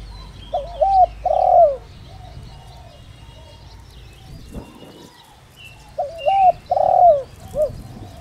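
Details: Spotted dove kept as a decoy to draw in wild doves, giọng đồng rặc voice; two cooing phrases about six seconds apart, each short coo, long falling coo and clipped end note, with a thud and faint chirps between.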